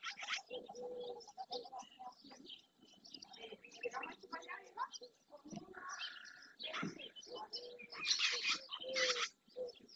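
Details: Dozens of barn swallows, many juveniles, gathered at the marsh edge in Doñana National Park, Spain, in early June, chattering in a dense stream of quick, high twitters and scratchy chirps with a few harsher buzzy notes.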